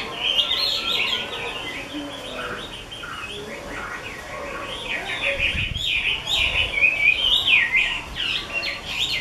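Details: A 'mơ' Chinese hwamei kept by a bird keeper delivers a long, energetic stream of fast whistled notes, trills and slurs. It grows louder toward the end, with a short low thump midway.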